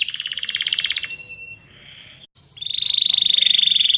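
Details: Fighting canary (kenari petarung) song used as training material for other birds: rapid buzzy trills of evenly repeated notes, a brief quieter murmur and a pause, then a long bright trill at a high steady pitch.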